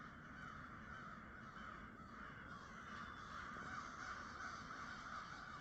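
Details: Crows, late to start on a mild, foggy winter morning, caw outdoors in harsh, rasping notes that run together in a steady chorus, over a soft background hiss.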